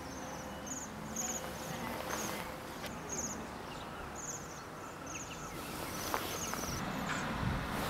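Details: Waxwing on the Isle of Man, recorded with a Zoom H1; very high, thin, beaded trills come in short bursts about every second or less, overlapping at times, over low rumbling background noise.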